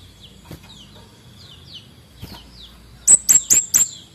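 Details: Male orange-headed thrush singing in full voice to rouse sluggish birds: a few soft, falling high whistles, then a burst of four loud, sharp, buzzy high notes in quick succession near the end.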